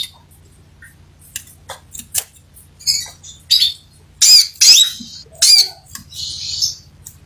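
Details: Sepah raja, the crimson sunbird, in full song: scattered high, squeaky chirps that build into denser bursts of sharp notes and a brief buzzy trill near the end. A faint low hum runs beneath.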